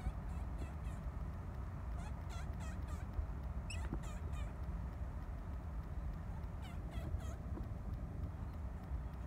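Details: Two Laysan albatross reunite at the nest after one mate returns from a couple of weeks at sea, 20 December 2017: bursts of rapid, warbling, braying calls in four short bouts over constant low wind roar.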